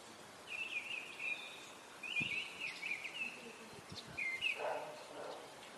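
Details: Eurasian nuthatch at the nest, recorded 2 April in Parque das Pedras Salgadas, Vila Real: several high, rapid twittering trills in short series, followed by a lower buzzy note amid faint background noise.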